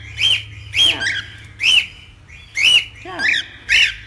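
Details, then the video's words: Cockatiel, sounds for taming: arched squawky calls repeated roughly once a second, each a short upturned note with rich overtones, six in a row. "AMANSAR CALOPSITA EM 10 MINUTOS!"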